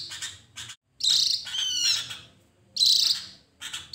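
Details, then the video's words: Lure recording of a Javan grey-throated white-eye: sharp, high chattering notes break into a fast run of descending whistled trills, then after a pause another loud, shrill burst. "Pancingan burung Opior Jawa"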